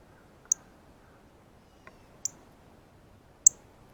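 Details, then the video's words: Sharp high chip notes from a male Northern Cardinal feeding on seeds from a ripe banana at a backyard feeder, recorded close up; three loud chips and one softer, lower tick within four seconds. "Cardinal 🐦Meets Banana - Feeding Chirp Sounds"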